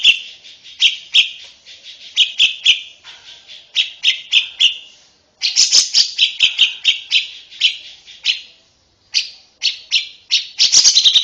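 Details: Lovebird song recorded as training material for young birds: bursts of quick, shrill chirping phrases separated by brief silences, ending in a dense harsh trill.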